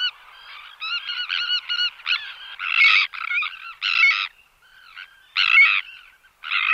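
Sandwich Tern giving harsh, grating 'kirrick' calls in irregular bursts, with fainter calls from other birds in between.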